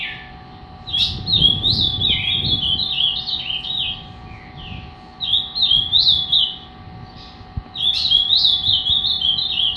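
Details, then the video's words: A captive three-year-old ultramarine grosbeak, described as angry, sings rich, warbling phrases of sliding whistled notes in three bursts, with a low indoor hum and faint rumbling beneath. "Azulão zangado show a parte"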